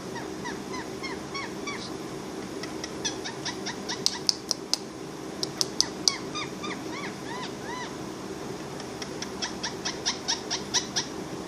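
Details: A pet parrot making cute sounds: series of short, upswept chirping notes in quick bursts, interspersed with sharp clicking or tapping noises, over a steady background hum.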